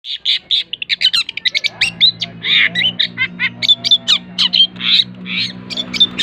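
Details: Long-tailed shrike giving an unusual, strange-sounding call: a rapid run of harsh, chattering notes and short squawks, densely packed and varied in pitch, over a steady low engine hum.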